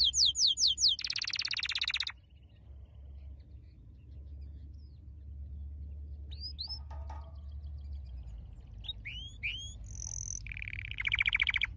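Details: Canary training song: a short burst of fast trills, then a long near-silent stretch with scattered thin upswept notes, ending in a loud rolled trill, with low hum throughout.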